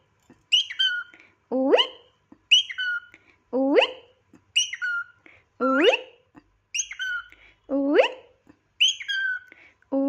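A cockatiel alternates a falling whistled note with a rising, harmonic-rich squawky call, about once a second.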